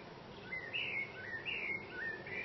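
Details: Common blackbird perched atop a branch outside a window, singing a flowing sequence of three or four warbled fluting notes, each gliding and slightly buzzy at the end, over soft ambient noise.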